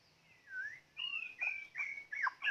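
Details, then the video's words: Varied whistled song of a white-rumped shama: a sliding whistle, then bright high phrases and short sweeping notes in quick succession. "ต่อนกกางเขนดง ตัวนี้สุดยอดจีงๆ"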